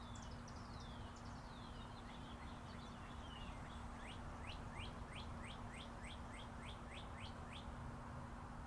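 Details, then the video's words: Tweeting birds in a raw, unlooped outdoor recording with Interstate 40 traffic humming behind: high descending slurred whistles open, then a steady series of about fourteen quick rising-falling chirps, evenly spaced roughly twice per second. "Chirping Birds"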